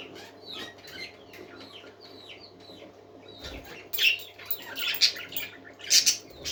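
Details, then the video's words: Parakeets singing happily: soft, descending chirps at first, then louder, harsh, buzzy bursts and squeaks that come in uneven clusters. A low hum runs throughout, and a brief thump is heard midway. "Happy Parakeets Singing"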